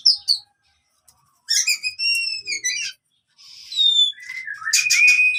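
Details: Oriental magpie-robin fighting song, for training silent birds: sparse phrases of clear level whistles and buzzy bursts separated by short silences.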